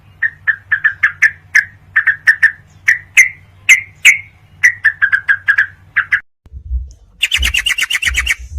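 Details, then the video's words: ['Sooty-headed bulbul in a songbird training recording for night use: a long series of rapid chirps and sharper notes. After a brief gap comes a buzzier, faster trill with low thumping sounds.'] "kombinasi masteran burung trucuk buat terapi di malam hari supaya fighter"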